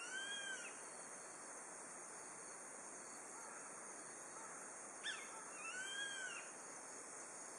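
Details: Grey-faced buzzard heard at dusk in autumn from the pass above Nishiamuro on Kakeroma Island, Setouchi town, Amami Oshima. A whistle tail fades at the start, then a sharp note and a full arched, slurred whistle follow, with insects buzzing steadily behind.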